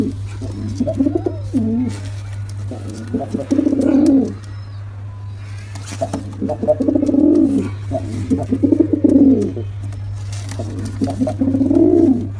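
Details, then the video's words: A male and female pigeon pair cooing in long rolling bouts of about three seconds each, throaty and rising then falling, separated by short pauses, with a persistent low hum. "Male & Female Pigeon Combo Attacks Sound"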